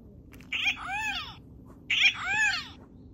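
Guianan cock-of-the-rock giving two loud nasal, two-part squawks about a second and a half apart, each with a bending, arched tone, over quiet background.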